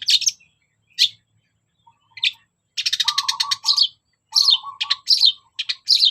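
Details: Long-tailed shrike singing energetically, a recording meant to provoke reluctant shrikes into song: isolated sharp chirps, then dense rapid chattering runs over a lower buzzy rattling undertone.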